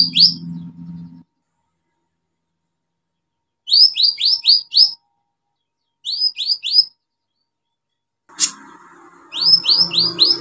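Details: Olive-backed sunbird singing vigorously, used as a lure to restart birds that have stopped singing: bursts of four or five sharp, high chirps swept downward, separated by silences, with low hum at the start and a clatter near the end.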